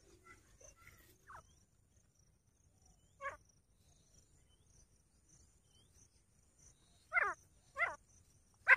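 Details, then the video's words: Grey francolin (teetar) giving harsh, clipped notes, first widely spaced, then closer together and louder toward the end, over a quiet background. "Teetar sound 4K Teetar Voice"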